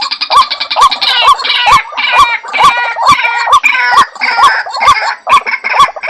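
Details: White-breasted waterhen lure call, locally called pitikan sawah: rhythmic nasal croaks about twice a second, overlaid by a busier, higher chattering layer that makes the sequence sound fuller and more frantic.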